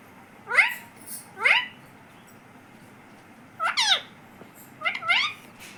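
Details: Pet talking parrot said to say "Mummy", uttering four loud two-part harmonic calls, each syllable sliding downward, spaced in pairs over about six seconds in a quiet indoor room.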